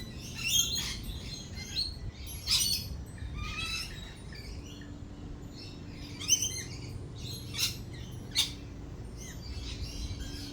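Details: Lorikeets feeding at a cafe through rolling thunder and lightning: bursts of harsh, high screeching and chatter, several sharp loud shrieks spaced a second or two apart, over a low background rumble.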